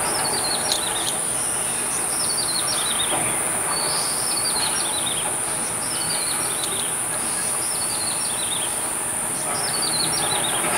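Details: Grey-headed tailorbird recorded from a window overlooking Badouzi fishing harbour on 29 April, singing high, thin descending trills in short phrases repeated every few seconds, over constant heavy background noise.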